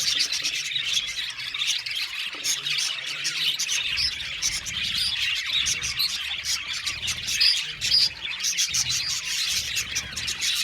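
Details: Budgerigars chirping in an aviary colony; a long stretch of rapid, overlapping chirps, twitters and scratchy warbling from numerous birds, steady throughout.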